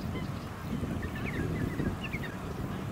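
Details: Black swans (Cygnus atratus) at Lake Monger, Perth, Western Australia, March 2018, give soft, rising bugled notes in short bursts, several birds overlapping, over a steady low rumble of wind and suburban noise.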